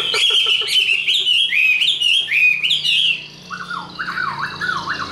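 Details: Tame caged Chinese hwamei giving its fighting song: rapid rich warbled phrases, falling and rising whistles, then softer lower wavy notes repeated several times near the end.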